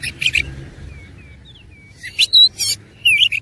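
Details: Oriental magpie-robin fighting song, opening harsh notes, a series of soft thin whistles, then loud buzzy bursts and a twisting whistled phrase.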